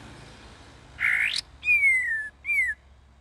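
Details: Young sooty-headed bulbul learning to sing: a rising buzzy note, then two clear whistles sliding downward, the first long, the second short.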